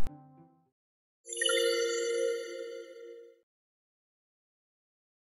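A short knock, then a bright ringing chime that rings for about two seconds and fades, with no animal sounds.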